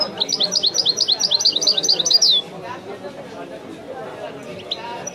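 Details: Goldfinch song from a master singing bird: a quick train of sharp, high twittering notes for two seconds closing in a buzzy falling trill, then faint distant chirps above steady background voices.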